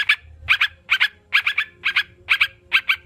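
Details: Sooty-headed bulbul, part of a therapy recording for kept birds: loud, spaced pairs and triplets of ringing chirps, roughly two groups per second, separated by clear pauses.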